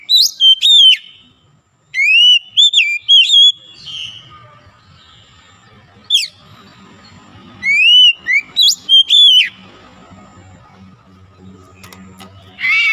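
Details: Oriental magpie-robin (kacer) regaining its full song after being reluctant to sing: groups of ringing, upswept whistled notes in fast runs, broken by gaps of soft low hum and rustling.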